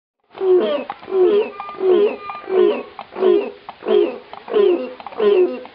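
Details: African cranes calling at Los Angeles Zoo, California, 14 September 2016: a steady run of about eight rich, honking calls, each rising slightly, repeated roughly every three-quarters of a second.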